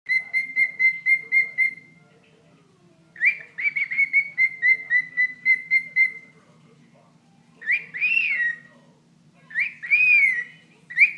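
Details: Pet bird talking to its owner's toe: bursts of quick, even whistled notes, about four per second, then a pause and a run of slurred, rising-falling chirps near the end.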